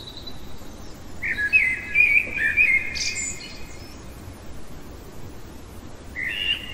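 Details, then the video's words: Night-singing common blackbird delivering a sustained fluty warble with a brief high twitter at the end, then a long pause before the next phrase starts, faint hiss behind. "Merle chantant au cœur de la nuit"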